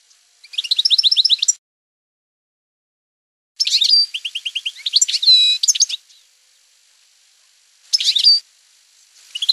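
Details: Campero-style song of a European goldfinch: three bursts of rapid, high, tinkling twitters and trills separated by silent pauses, with the longest phrase in the middle mixing repeated chirps and buzzy flourishes.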